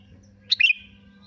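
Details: Kutilang, the sooty-headed bulbul, gives a single short bubbling phrase on a lure track used to prompt singing: a sharp high note, then a slurred falling chirp, over a faint steady low hum.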